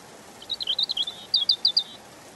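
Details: European robin singing a short sweet phrase: a warbled string of high looping notes followed by four clear separate piping notes, over faint hiss.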